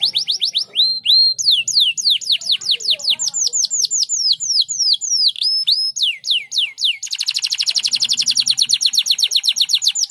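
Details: Canary used as a tutor for other canaries, singing continuously: clear looping whistles and downward-sweeping notes repeated quickly, shifting after about seven seconds into a rapid, buzzy trill of evenly spaced notes.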